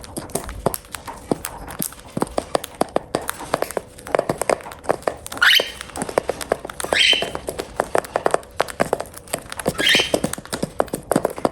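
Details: Pet cockatiel eating, giving three short, rising, harmonic chirps spaced a few seconds apart over a steady patter of pecking and crunching clicks.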